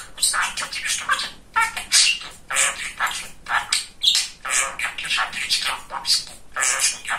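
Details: Pet budgerigar, a talkative young male, imitating speech: fast, high, hissy word-like syllables grouped into short phrases, delivered nearly nonstop with small pauses.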